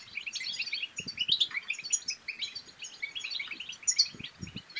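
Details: Song of a European goldfinch used to stimulate singing and mating, quick twittering phrases with piercing high notes and brief pauses, over occasional low knocks.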